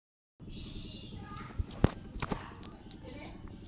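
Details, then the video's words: Sogon bird chick giving sharp, very high squeaky chirps, spaced unevenly about twice a second, over a low background hum with a few clicks and knocks. "anakan burung sogon"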